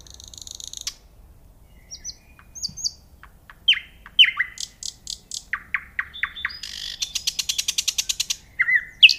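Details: Nightingale singing varied phrases: a buzzy rattle, then sharp high chips, slurred whistled notes and falling strokes, ending in a long, fast, dry series of repeated high notes and a final whistled note.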